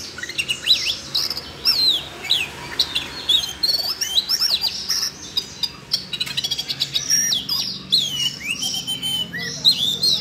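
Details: Siberian rubythroat singing, stirred up by voice-training audio played for a young magpie-robin. Rapid, varied high whistles, sharp slurred notes and chattering phrases tumble almost without pause, with a faint low hum underneath.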